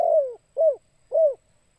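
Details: A spotted dove calling in the kuk 2 pattern used for luring: three rounded, downward-curving coos spaced about half a second apart. The first coo is the longest, and the background is otherwise silent.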